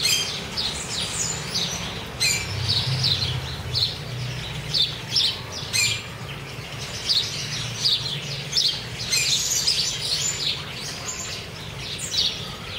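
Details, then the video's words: Free-living chopi blackbirds, Cuiabá, Mato Grosso, Brazil, gathered while being fed: a busy stream of sharp chirps and whistled notes from several birds, nearly continuous over a low rumbling background. "PÁSSARO PRETO"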